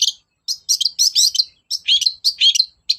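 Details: Long-tailed shrike song used to make silent shrikes sing: short bursts of high, squeaky, twittering notes coming in quick uneven clusters.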